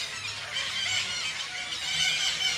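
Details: A dense chorus of shrill, screeching calls from countless parakeets in a tree at Garo Para, a natural bird sanctuary, overlapping continuously, harsh and high-pitched throughout.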